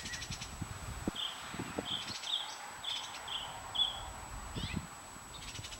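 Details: Nest of five Bluebird young, from hatchlings to fledglings, summer 2019: a row of six short, high chips roughly every half second, with soft rustling and low bumping sounds between them.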